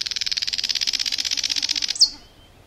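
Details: Common nightingale in a forest, a long fast buzzy trill of evenly repeated notes, about fifteen per second, ending in one sharp high note.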